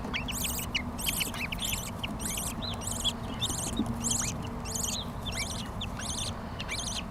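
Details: Baby budgies in a Lahore aviary begging as the mother bird feeds them: about ten scratchy, rasping bursts over seven seconds, evenly spaced, with faint chirps between and a constant low mechanical hum underneath.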